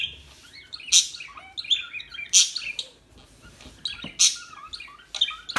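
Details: Small birds chirping calmly: bright high tweets and short trills with a few louder sharp notes, irregular, about every two seconds, over quiet background.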